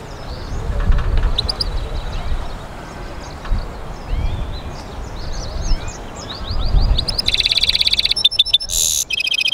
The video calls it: European Goldfinch mule singing